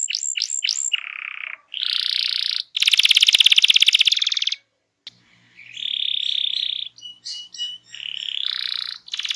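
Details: Canary song played to stir silent birds into singing: a few sharp falling notes, then bursts of buzzy trills and rolls broken by short pauses, with a faint low hum in the background.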